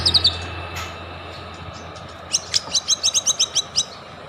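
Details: White-rumped shama lure recording meant to provoke other shamas into singing: a few high chirps, then a quick, even series of about ten sharp, high notes near the end.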